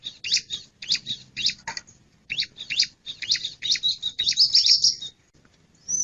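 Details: Male bar-winged prinia giving a run of sharp, scratchy chip notes in quick irregular succession, ending in a brief high trill.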